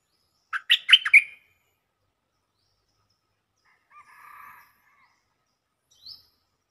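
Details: A stripe-throated bulbul sings a quick burst of bubbly, chortling notes, then after a pause a softer buzzy phrase and one short rising note.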